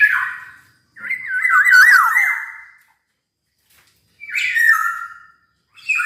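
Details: Black-naped oriole sings in harsh-edged, wavering whistled phrases around one steady pitch, each lasting one to two seconds with pauses between, slightly buzzy and raspy in tone.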